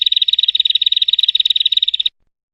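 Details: Female prinia giving a rapid, even series of buzzy clicking notes, about fifteen per second for two seconds, then silence.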